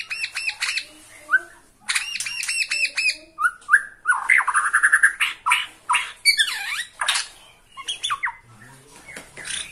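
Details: Bornean white-rumped shama singing emotionally at a rival: rapid stuttering note series, slurred whistles, a trill, and swooping V-shaped notes in a long, varied sequence.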